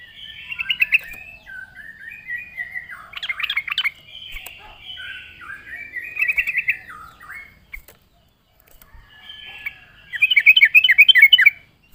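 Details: Energetic Yellow-vented Bulbul song for luring birds: varied warbled and chattering phrases with quick bubbling runs, several loud bursts, a brief silence near the end, then a final rapid stuttering flourish.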